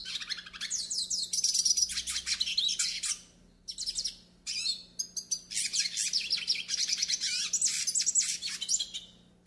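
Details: Hooded siskin, the northeastern Brazilian form, singing a song used for training and warming up captive birds: long fast twittering phrases of high buzzy trills and chattering notes, broken by short pauses, with a faint steady hum beneath.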